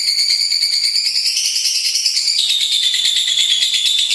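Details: Continuous 'gacor' lovebird song of fast, shrill, rattling chatter. Bright buzzy notes pulse about three times a second over a sustained high whistle that falls a step after two seconds.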